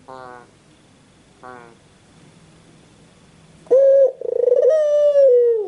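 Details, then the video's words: White Barbary dove, a caged bird, calling: two soft short rising notes early on, then after a quiet gap a loud, sustained, harmonic-rich coo that rolls and slowly falls in pitch. "SUARA BURUNG PUTER PUTIH"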